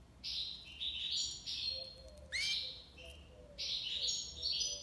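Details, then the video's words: European goldfinch from Algiers, Algeria, singing in the tiwawati style: bright high buzzy phrases alternate with sharp rising slurred notes, in bursts separated by short pauses, over a faint low hum. "مقنين تيواوطي ليبساد الله يبارك / chardonneret tiwawati"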